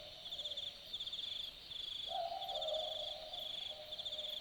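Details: At night in the bush of Dharug National Park, Australia, an Australian boobook gives a single two-note boo-book call, a higher hoot falling to a lower one. A steady pulsing high insect chorus runs throughout.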